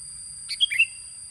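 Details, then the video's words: Sooty-headed bulbul luring song: a quick bubbly phrase of three or four whistled, falling notes, over a steady high electronic whine. "Suara pancingan burung kutilang"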